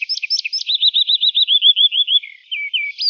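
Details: Morning song of a Eurasian skylark: a few sharp high chirps followed by a long, even rolling trill of rapid repeated notes, then brief twittering phrases resuming.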